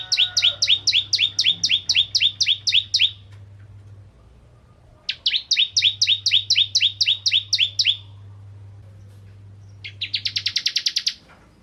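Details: Ciblek kristal, the bar-winged prinia, singing as a lure for other prinias: two rapid bursts of doubled, stuttering chirps separated by silence, ending with a short quick trill of higher, tighter notes.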